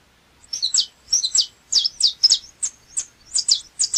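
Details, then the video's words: After a brief silence, a saffron finch, known as canário chapinha, breaks into forceful high chirps: paired and tripled downslurred notes in rapid bursts. "Canto do canário chapinha"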